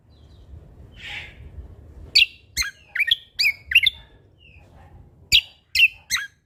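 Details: Energetic Sumatran leafbird song with natural sound fills, made of loud, abrupt, high chirps with downward flicks, grouped in a run of five and then three more.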